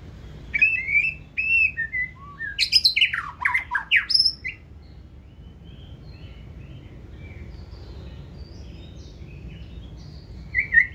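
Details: Caged 2024-season white-rumped shama with high tail carriage giving 'forest voice' song: whistled phrases build into a dense harsh, squawking burst around the middle, followed by faint distant twitters and a final short whistle.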